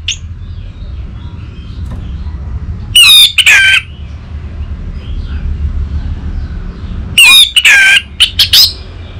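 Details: Orange-headed thrush played as stimulation, claimed to draw a response from males: two loud bursts of harsh, squeaky, warbled phrases about four seconds apart, with a quiet low rumble between.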